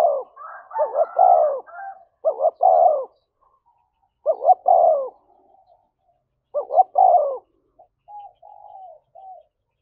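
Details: A spotted dove gives fighting-provocation coos in the thổ voice style. The first phrases overlap with higher notes, then come clean triplets of two short notes and a long falling coo, closing with weak trailing murmurs.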